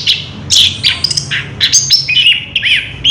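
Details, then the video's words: Short stretch of Orange-headed thrush song, a fast jumble of high chirps and bending whistles with a looping wavering note near the end, over a low hum. "Burung Anis kembang ngerol edan luar biasa"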